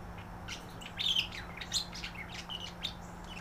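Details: A courting pair of caged budgerigars, female and male, calling to each other at bedtime. Short, bright chirps and squeaky warbled notes in a quick cluster, over a steady low electrical hum.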